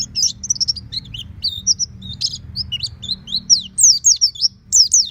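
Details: Oriental white-eye caged at home singing ngeplong: varied high twittering with buzzy notes and sweeping slurred whistles, building to loud sharp phrases, over faint low hum.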